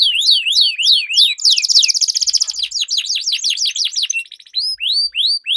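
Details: Canary song duel with long rolls used to rouse silent birds: sweeping V-shaped whistles, then a rapid buzzy trill, more swept notes, a short pause and rising whistles.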